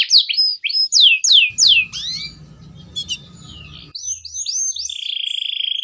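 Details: Canary in sustained song used as a lure and model for young canaries: loud, high descending sweeps for two seconds, then softer chips over a low rumble, ending in a steady high rolling trill.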